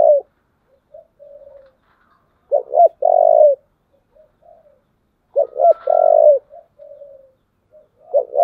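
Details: Spotted dove; coo; provoking a rival to fight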